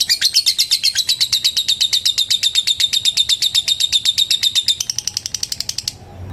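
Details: Long ngekek trill from a lovebird calling a rival: rapid, scratchy, high chatter pulses, steady for several seconds, then a lighter, quieter run before it stops abruptly.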